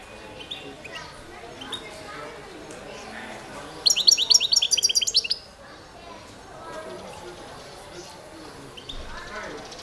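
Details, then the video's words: Competition recording of a Balkan goldfinch, Carduelis carduelis balcanica, from the 2022 World Championship in Goldfinch Song. One fast burst of sharp, high tinkling notes lasts about a second and a half, set against a low room hum and murmuring. "Pesma štiglića"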